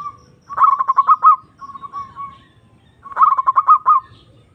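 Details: Caged zebra dove lure song meant to call a rival and stir quiet birds: two rapid rolling phrases of stuttered coos ending in rising hooked notes, with a softer trill between them.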